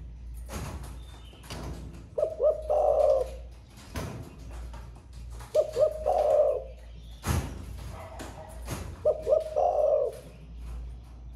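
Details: Captive spotted dove in thổ pha voice, newly singing and cooing through the day: three phrases about three and a half seconds apart, each two short coos and a long purring coo, amid knocks and cage clatter.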